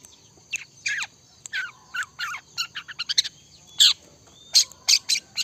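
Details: Long-tailed shrike in vigorous 'trotol' style song: a rapid run of varied short chirps, buzzy bursts and sweeping notes, mostly high-pitched, delivered in quick irregular clusters with brief pauses.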